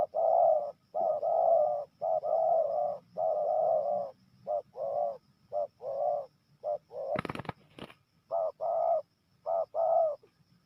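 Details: Spotted dove from Merangin, Jambi, kept as a calling bird for luring wild birds: a low, mellow cooing series of steady, rounded notes in uneven groups of short and longer hoots, broken once by a sharp clattering knock.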